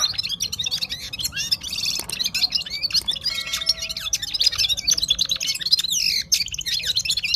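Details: Himalayan bulbul, locally Gulsar, from Parachinar singing at full power, a continuous dense stream of high chirps, trills and warbled notes with hardly any pause.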